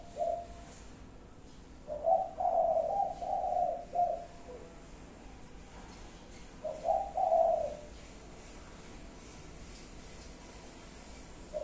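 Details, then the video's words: Low, mellow coos of a spotted dove in its five-note pattern 'cục... cu cu... cu... cu', one full phrase then a shorter one several seconds later, long quiet gaps between. "chim cu gáy 5 tiếng. cục... cu cu...cu ...cu"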